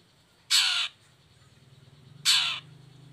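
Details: Long-tailed shrike lure recording meant to make lazy or moulting shrikes sing: two loud, harsh, rasping notes about two seconds apart, each short and grating, with a faint low hum between them.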